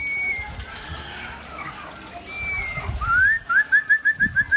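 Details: Aceh-type white-rumped shama held as breeding stock ends with a fast string of about seven clear rising whistled notes, preceded by softer long whistles amid background noise.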